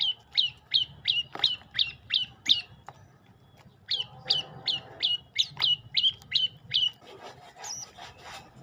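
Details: Olive-backed tailorbird singing: two fast runs of sharp, high, downward-slurred chip notes, about three per second, separated by a short pause, ending with a few scattered notes.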